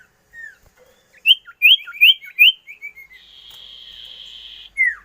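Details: Common iora, called sirtu, cipoh, cito or sirdum locally, singing a burst of five loud chirps followed by softer tapering notes, then a long buzzy drawn-out note and a final falling whistle.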